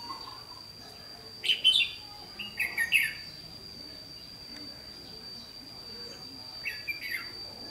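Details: Decoy red-whiskered bulbul at a trapping site, 28 May 2016, giving three brief bright warbling phrases, the first two close together and the last after a long pause, over quiet background hiss and a constant thin high tone.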